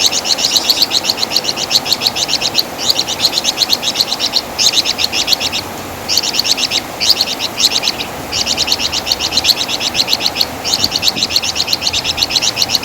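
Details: Flamboyan bird (Wergan Jawa) in a master recording for training songbirds; sustained, almost continuous high chattering in long rapid runs, broken by brief pauses every few seconds.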